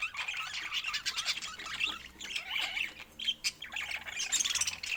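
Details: Chattering pet budgies give bursts of squeaky warbles and sharp chirps in quick clusters, pausing briefly between flurries of overlapping calls.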